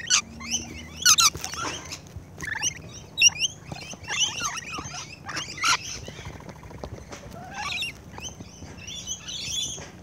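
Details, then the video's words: Rainbow lorikeets feeding close up, giving sharp high screeches and chattering squeaks in irregular bursts, with scattered clicks and soft rustling between calls. "Rainbow LORIKEETS CLOSE-UP FEEDING"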